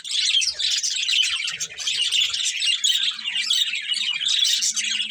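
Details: Unbroken high chatter from a breeding pair of budgerigars: rapid squeaky chirps and raspy warbling notes with a faint low hum beneath.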